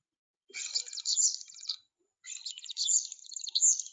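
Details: European starling, a bird that can mimic hawks and is usually found in large flocks feeding on the ground, singing two long bursts of dense, high chatter full of clicks, rattles, squeaks and wheezy whistles, beatbox-like, with a short pause between.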